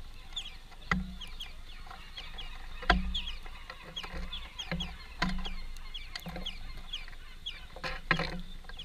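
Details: Feeding greenfinch family at a place of work gives scattered thin, high chirps and short downslurred notes throughout, with repeated heavy low knocks and clatter in the background.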